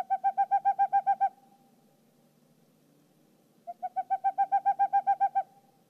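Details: Boreal Owl calling during courtship season, a haunting rapid series of about a dozen high, hollow hoots, roughly four per second, in two bursts separated by a short pause.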